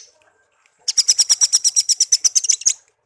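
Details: Tame pet songbird, raised from young and kept one year, gives a brief high note, then a fast, evenly spaced run of about fifteen sharp high chirps lasting two seconds.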